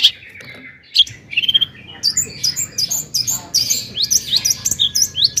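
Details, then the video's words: Long-tailed shrike song aimed at provoking other shrikes: high twittering, looping whistled notes and quick mimicked phrases, delivered fast and dense after a few opening notes. "kicau cendet gacor toet toet AMPUH buat PANCINGAN CENDET AGAR EMOSI"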